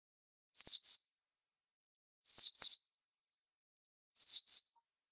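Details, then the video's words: High-pitched white-eye song in three paired phrases of sliding, downward notes, about two seconds apart, presented as an unusual master song for training. "Pleci super antik masterannya harus unik"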